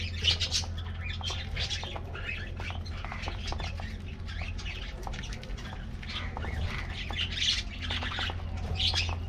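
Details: Aviary flock of colorful budgies at a morning treat: continuous overlapping chirps and scratchy warbles from several birds, with a constant low hum underneath.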